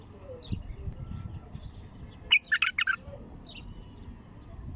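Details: Wild, untrained bulbul singing with a heavy throat at its first opening: a short burst of rich, liquid warbled notes lasting under a second, over low rumbling background noise.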